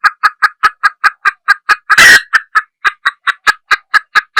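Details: Junglefowl hen, female, clucking in a brisk steady run of short clipped notes, with one loud rasping burst midway before the clucks resume.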